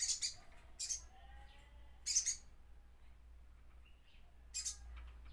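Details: Crimson sunbird giving sharp, very high chipping notes in short bursts, about four across the stretch, over a low steady hum.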